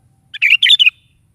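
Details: One short, cheerful phrase from a sooty-headed bulbul singing gacor-style in the morning: a clipped lead note, then two bubbling, liquid warbles and a falling final note.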